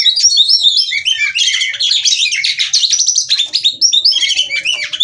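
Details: Oriental magpie-robin hen, captive in Cirebon, Indonesia, displaying (ngobra) and calling to stimulate male singing; loud, dense, unbroken chatter of high twittering notes, trills and short whistles throughout.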